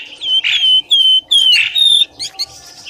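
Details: Bird lure call, used to draw birds quickly out of thick bushes: clear, high, slightly falling whistled notes, each about half a second, with short sharp chirps in between and quieter chatter at the end.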